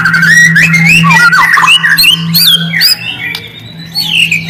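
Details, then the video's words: White-rumped shama singing as a lure to trigger a response from quiet birds: fluid whistled phrases rising and dipping, mixed with fast chattering notes, slightly softer near the end, steady low hum behind. "Murai diam langsung merespon suara burung ini, pancingan murai batu"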